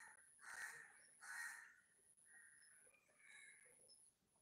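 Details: Fallen bulbul chick calling with two loud, raspy bursts about a second apart, followed by softer, shorter buzzy notes; a thin steady high-pitched tone runs throughout.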